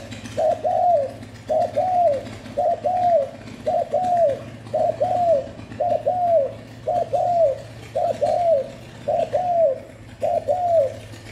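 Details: Continuous spotted dove calling to stimulate and lure doves: mellow, hollow coos in paired notes, repeated steadily about once a second over a faint low hum.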